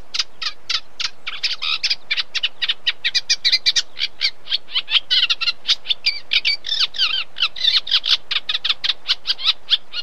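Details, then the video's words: Reed warbler song: a long, steady run of scratchy, chattering notes, many repeated two or three times before switching, with the tempo picking up into dense, varied phrases. No other sounds. "Как поет камышевка? 🕊️ Звук поющей камышевки и какие звуки издает камышевка"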